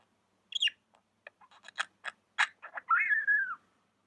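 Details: Pet budgerigar making clicky, ticking notes that run into a longer whistled warble sliding gently downward at the end.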